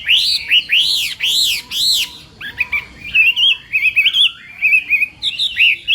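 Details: Morning training song of a Chinese hwamei for contest singing: four loud, arched whistled notes rising and falling, then a fast series of short, wavering warbled phrases.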